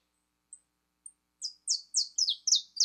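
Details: Saffron finch, described as fibra, starting with two thin high ticks, then breaking into a rapid run of slurred, descending chirped notes that speed up toward the end.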